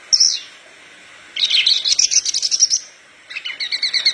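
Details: Horsfield's bush lark, a lively singer meant to train other larks, gives a short high note, then a varied run of chattering, buzzy phrases, and after a pause a lower series of quick repeated notes.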